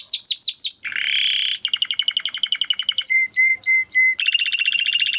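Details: Timbrado canary song for training. Falling swept notes lead into a harsh buzz and then a fast pulsed roll. Four clear level whistles and a final rapid high trill follow.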